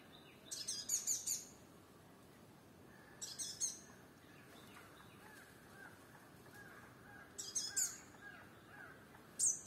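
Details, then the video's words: A sunbird on a firebush in Kerala gives very high, thin, sharp twittering bursts, four short phrases spaced a few seconds apart, over faint lower chirping from other birds. "Sunbird on hummingbird bush with song"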